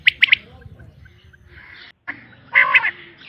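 Common quail female giving short, harsh, squeaky notes in quick bursts, a triple note at the start and a louder cluster near the end.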